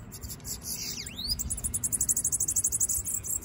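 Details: Sibite (bananaquit) let loose, singing a dipping V-shaped whistle that leads into a rapid, very high, pulsing buzzy trill about two seconds long, over a low background hum.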